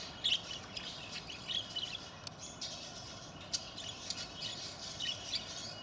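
Bourke's parrot giving short, high chirps, singly or in quick pairs, every second or so, over a steady background hiss.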